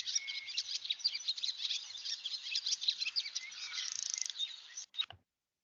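A Barn Swallow chatters in a fast, high twittering stream, broken by a brief dry buzzy rattle near the end, before the recording cuts off abruptly.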